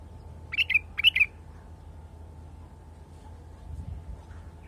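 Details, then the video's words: A wild bulbul sings two closely spaced bursts of rapid, gurgling notes about half a second apart, then silence apart from a low steady hum. "تغريد بلبل وحشي"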